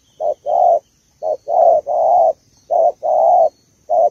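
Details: Malaysian spotted dove hen calling to rouse the male: short clipped coos alternating with longer drawn-out ones, mid-pitched and husky, arriving in irregular bursts, with a faint high hum behind.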